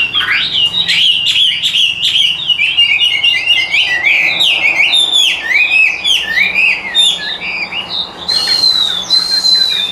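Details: Caged hwamei in full song: ten seconds of loud, varied whistled phrases, quick rising and falling slurs and rapid trills, closing with two long high whistles; light background hum.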